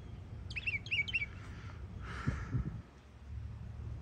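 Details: Young Northern mockingbird in Florida: a short burst of three quick repeated chirpy phrases, followed by a soft rushing noise and light knocks.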